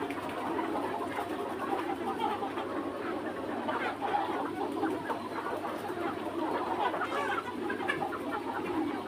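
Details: Free-range Red Mía rooster flock with hens on a farm: a steady murmur of low, overlapping clucks and soft chatter throughout, with no single bird standing out and no crowing.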